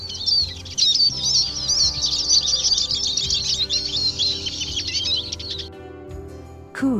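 Eurasian Siskin giving a fast, high, continuous twittering with wheezy trills for over five seconds, then a brief spoken voice at the end.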